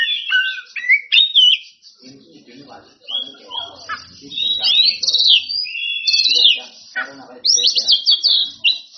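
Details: Oriental magpie-robin, a black-and-white singer, in a varied song calling out rivals: sweet whistles and sliding notes mixed with harsh chattering bursts, with a quiet voice murmuring underneath partway through.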